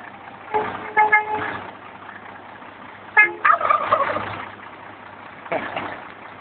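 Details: Two tom turkeys in El Dorado Hills answer each steady truck air-horn blast with rapid, rattling gobbles, over an underlying vehicle rumble.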